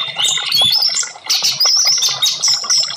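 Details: Orange-headed thrush song used as a therapy recording to prompt silent birds to sing: dense, fast run of high whistled and chirping notes with sharp slurred phrases, almost continuous for three seconds.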